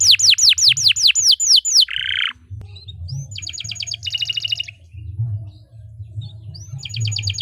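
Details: Canary song used for training other birds: seven loud descending whistled sweeps in quick succession, a buzzy note, then a fast rolling trill and a rising whistle, with low hum.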